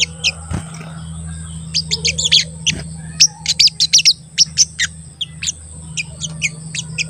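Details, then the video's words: Crested jay chirping fast, short piercing high notes at more than two per second in uneven runs, meant to spur other jays to call and become agitated; steady hum underneath. "Pancingan Sogon Agar Bunyi dan Emosi"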